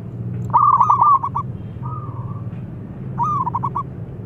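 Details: A local zebra dove with a big voice, used to draw other doves into calling, sings soft, mellow cooing phrases: a rolling start breaking into a quick run of staccato coos, repeated twice over a low hum.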